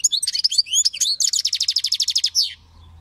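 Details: European goldfinch singing continuously, mixed tinkling twitters and short whistled slurs leading into a long, rapid, evenly spaced trill of bright notes, then a final downward flourish and low hum.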